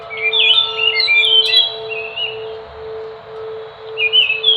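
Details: Songbird of Enggano island, Indonesia, the Enggano thrush (Geokichla leucolaema): a burst of bright warbled whistles, then a quieter pause, then a short whistled phrase resuming near the end; a steady electrical-like hum runs underneath.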